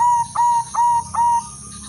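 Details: Silver female zebra dove kept as a lure to bring other doves into breeding condition: three clipped, ringing coo notes, each a short sharp onset then a steady held tone, evenly spaced about every 0.4 seconds, on a quiet background.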